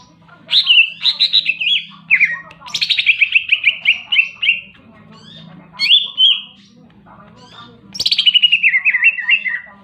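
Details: Greater green leafbird singing energetically: loud bursts of rapid, rattling, buzzy notes and bright slurred whistles that slide downward, delivered in phrases of one to two seconds with short pauses between, over a faint steady low hum.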